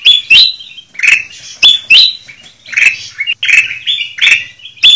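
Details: Kutilang emas lure recording: sharp clicks, each followed by buzzy chirps and clear whistled notes, repeating about every half second to second in an uneven rhythm.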